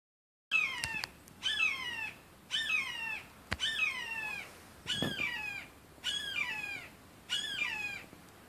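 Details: A hawk perched in a tree gives a series of loud, harsh, downslurred cries, about one each second; the meaning of the cry is unknown.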